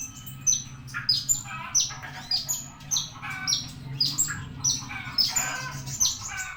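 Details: Javan bushlark song of rapid, evenly spaced high piercing downslurred notes, roughly three per second, mixed with rougher chatter. Low hum underneath.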